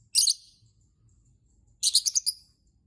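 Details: Lovebird chirping to provoke other lovebirds into singing: two loud, shrill, harsh bursts, the first short, the second a rapid stutter of four or five notes, separated by a quiet gap.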